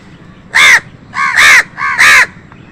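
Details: Loud, harsh caws from a crow squabbling with other birds for food, three strident calls in quick succession, the last two nearly joined, over a faint low background hum.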